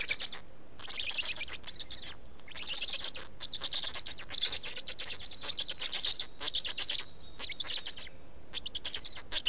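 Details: Estonian black storks feeding at the nest on 19 May 2019 at 15:43; continuous rapid rasping pulse trains broken into bouts by short silences, with a thin whistled note from another bird in the background.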